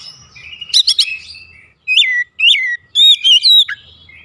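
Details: Caged Oriental magpie-robin kept at home, singing to provoke other birds into answering: clear whistled phrases with sharp upward and downward slurs, short rich notes and brief bursts separated by gaps.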